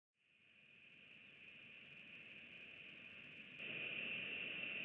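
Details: Static hiss fades in and then jumps louder partway through, with a steady high whine and no calls.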